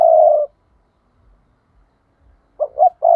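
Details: Spotted dove kept as a trapping decoy, 'thúc' call: the tail of a long coo, a pause of about two seconds, then a fresh phrase of two short coos running into another long low coo.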